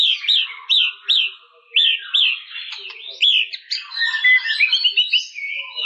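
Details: White-rumped shama singing: a series of clear upslurred whistled notes about every half second, then a jumbled, faster stretch of bright whistles and chips.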